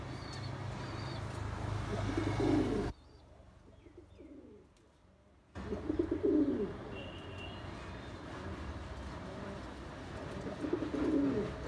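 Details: Bombay pigeons, a domestic breed described as best quality; low throaty coos sound three times at irregular intervals against steady background hum, with a brief quiet stretch in the middle.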